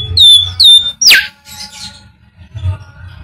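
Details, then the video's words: Bimoli whistle used to lure other birds into singing: a pair of clear whistled notes followed by a steep falling sweep, then softer chatter, over a low rumbling background. "SIULAN BIMOLI UNTUK PANCINGAN BURUNG"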